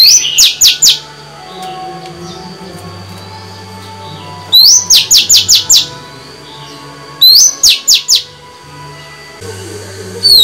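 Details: Singing female white-rumped shama, a caged bird used to excite males: three phrases, each a rising whistle then four or five rapid sharp high notes, the bursts repeating every two to three seconds.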